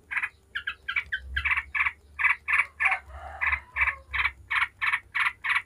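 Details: Yellow-vented bulbul giving rapid 'ngebren' song meant to provoke other bulbuls into singing: evenly spaced, buzzy chattering notes, about three a second, after a few hesitant opening notes.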